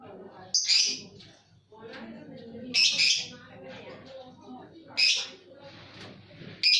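Bright, high chirping bursts from a bird, each lasting about half a second and coming roughly every two seconds, over a low murmur of voices.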